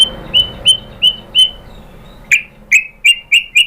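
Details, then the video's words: White-rumped shama (murai batu) lure sound meant to make other shamas sing: short, clear, upslurred whistled notes repeated about three times per second, with a brief pause midway. "memancing EMOSI MURAI BATU biar ikut GACOR BONGKAR MATERI ISIAN ¦ PANCINGAN MURAI ¦ SHAMA BIRD"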